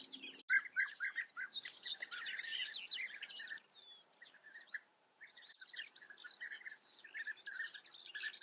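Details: Colony of European bee-eaters in the Eifel, Germany, giving dense, overlapping rolling calls with bright higher chirps, a short lull midway, then steady calling again.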